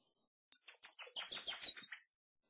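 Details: Wilson's warbler giving a quick burst of high, slurred notes, a short jumbled phrase of about ten chips lasting around a second and a half, with silence around it.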